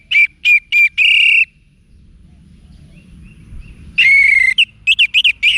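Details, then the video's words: Orange-headed thrush song used to prompt cage birds. Four strong, repeated whistled notes, the last one drawn out, then a pause. A fuller, slurred whistle follows with several quick, bright notes. "ANIS MERAH Manapun Bakal Nyaut Berani Untuk Figther Saat Didengarkan Kicauan Wiksar Ini"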